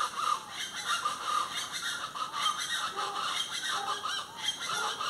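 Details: Several plain chachalacas in a loud, continuous raucous chorus of harsh, grating, rhythmic notes that overlap and pulse without pause, with occasional lower clucks mixed in.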